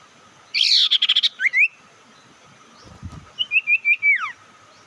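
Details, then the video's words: Lure call for provoking other birds opens with a loud rattling chatter followed by a rising whistle, then after a pause a series of clear sliding whistled notes ending in a steep downward sweep. "Panggilan sirtu pikat Lawan awas ikut emosi"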